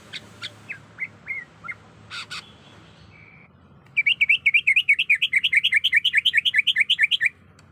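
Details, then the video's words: Breeding female greater green leafbird calling to a male. It opens with spaced sharp chirps, then gives a fast run of about twenty-five loud, wavering whistled notes repeated evenly for over three seconds. "Pancingan Spesial Cucak Ijo Malas Dan Susah Bunyi Di Jamin Dan Terbukti Jitu Bikin Nyaut"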